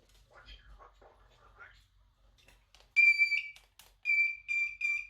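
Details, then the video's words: A female pet Moluccan cockatoo mimics household sounds indoors, noises she makes throughout the day for fun: a soft, speech-like "hello" followed by loud, steady electronic beeps, repeated three times. "Ring, Whistle, Beep, Hello"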